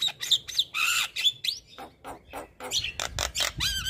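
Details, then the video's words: Male Javan myna used as a singing model for other mynas produces harsh, noisy squawks mixed with short whistles and chattering notes. "Burung Jalak Kebo Jantan Super Gacor Gurunya MAsteran Jalak"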